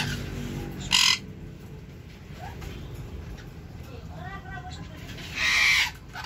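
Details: Baby sun conure giving two loud, harsh screeches about four seconds apart, the second longer and more drawn out, over a quiet background with faint low murmuring.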